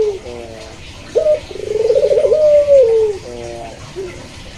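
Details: Barbary dove (pelung or local puter) delivering one coo: a quick clipped note, a rapid trembling roll, then a long smooth tone that falls off, bracketed by soft stuttered notes.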